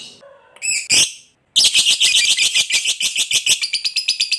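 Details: Lovebird in a long ngekek chatter used to coax other birds into song; a few harsh squawks and a short pause, then a steady train of rapid, high, buzzy notes.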